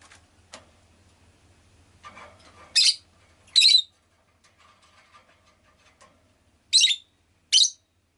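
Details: Rosy-faced lovebird, a pet, giving loud harsh high chirps in pairs, two around three seconds and two near seven seconds, after softer chatter and a brief steady tone, with a low hum early on.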